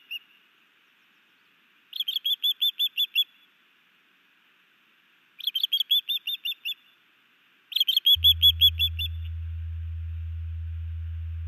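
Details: Ospreys at a Missoula, Montana nest in Hellgate Canyon, May 2019, during a new male's sky dance and fish delivery to his mate: three rapid runs of piercing whistled chirps, seven to nine notes each, then a low steady hum.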